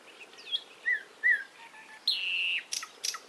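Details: A few clear, slurred whistles from a bird, followed by a long, steady high whistle of about half a second and two brief sharp chirps, with faint background hiss.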